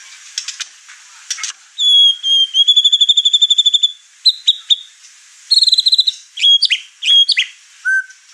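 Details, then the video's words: Over-excited caged white-rumped shama showing off its repertoire and agitating the other house birds; loud high whistles with long trilled runs of rapid repeated notes, sharp clicks and a low closing whistle. "Murai Batu Over Emosi Bongkar materi Malah bikin ngamuk burung serumah"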